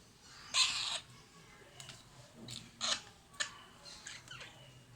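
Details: Alexandrine parakeet chicks begging while fed by their keeper: one strong, hoarse, screechy rasp early on, then several short, sharp, scratchy calls spaced less than a second apart.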